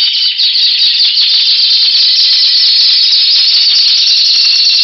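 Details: Power song of a Timbrado canary, February 2012: sustained rapid rolling trills without pause, bright and metallic, shifting slightly in tone across the phrase.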